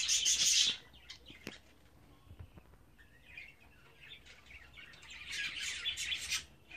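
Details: Budgerigar chicks at 24 days old give a loud harsh burst at the start, then softer scattered chirps. A rising swell of buzzy chatter follows near the end.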